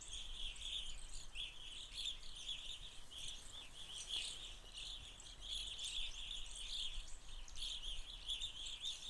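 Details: Evening Grosbeaks feeding in Forest County during the fall 2020 irruption south of the boreal forests: a continuous stream of overlapping high chirps and burry notes from several birds, over steady low background rumble.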